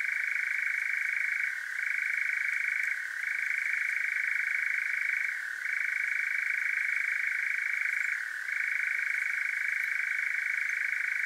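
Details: European nightjar (Caprimulgus europaeus) at night in Devon, south-west UK, recorded with a parabolic microphone, churrs in one long, unbroken mechanical trill, dipping briefly in pitch every few seconds against an otherwise quiet night.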